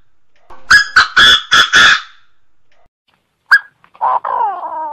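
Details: Lure call of a Chinese francolin: five harsh, evenly spaced notes delivered rapidly, followed after a pause by one sharp note and a drawn-out, buzzy phrase that slurs downward.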